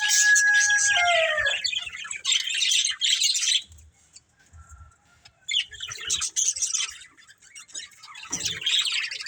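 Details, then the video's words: Budgerigar breeding pair and family: a couple of clear whistled descending notes amid scratchy chattering, a quiet stretch, then renewed high chirping bouts. "Beautiful Budgies Chirping Sounds"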